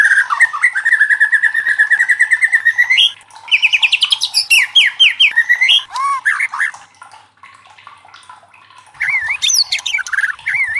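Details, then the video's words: White-rumped shama song played to challenge other shamas into singing: a rapid pulsed trill near steady pitch, rising buzzy phrases and looping whistles, a quiet pause, then renewed sweeping notes. "SUARA LANTANG MURAI LAIN JADI IKUT TERTANTANG BUNYI | Pancingan murai batu bikin gacor ngeplong"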